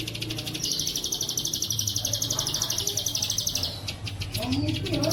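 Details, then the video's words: Plain prinia singing in the 'bren' style from Cililin, a training recording made clear for caged birds: a long, fast, buzzy trill of rapidly repeated high notes, about four per second, over a low rumbling hum and faint voices. "masteran terbaik ciblek sawah bren cililin suara jernih"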